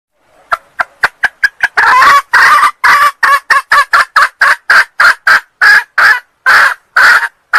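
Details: Junglefowl hen from Sumatra calling to lure males: quick soft ticking notes build into a long harsh note, then many loud cackles in an uneven rhythm, some drawn out.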